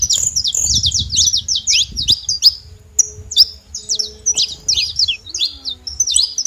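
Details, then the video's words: High, quick chirps and descending slurred notes from a saffron finch, a dense run first then scattered phrases, with low rumbling noise and a faint mid-pitched hum. "Canário da terra fazendo barulho"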